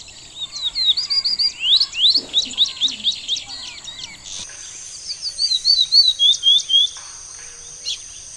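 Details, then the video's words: Song of a Morelet's seedeater, a rapid string of sweet, high chirped notes, about three or four a second, then a short pause and a second run of clear, slurred notes over a faint constant high tone. "O canto do Papa capim de sobre branco"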